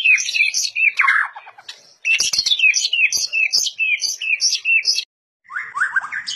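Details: Murai batu (white-rumped shama) of fighter type, noted for its unique voice and varied fighting style, pouring out fast repeated high notes, rolling trills and descending slurred phrases, with a brief silent gap near the end.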